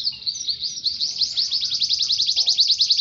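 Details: Caged canary singing a continuous high warbling trill that speeds into rapid repeated chirping notes, dense and unbroken, with light background noise.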